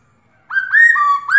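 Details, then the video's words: Black-throated laughingthrush female giving her rolling 'ro' call to stir a male into singing: a clear whistled note held level, then a longer rising-and-falling whistle dropping to a lower steady tone, and a fresh rising whistle. "Khướu mái ro kích trống căng lửa/Tiếng khướu mái ro ro kích bổi cực nhạy/Kích là hót"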